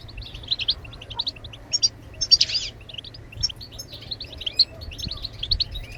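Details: Song of a European goldfinch meant to stimulate other birds into singing; fast high-pitched twittering with a brief buzzy, noisy burst in the middle, steady faint hum beneath.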